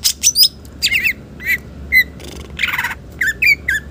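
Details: Green leafbird in full song, with a rich varied repertoire used to lure and tutor other birds: sharp squawky chirps and short upslurred whistles in quick irregular bursts, with one harsher noisy burst midway against a faint hum.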